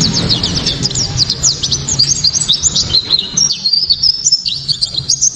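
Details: Japanese white-eye song used to provoke other white-eyes into singing and for tutoring songbirds: loud, sharp, clear high twittering of rapid chirps and short descending whistles in dense continuous runs, with a low background hum.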